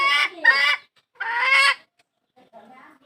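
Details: Hen calling to find a rooster, giving two hoarse, nasal squawks close together, then a third after a pause, with faint murmuring afterward.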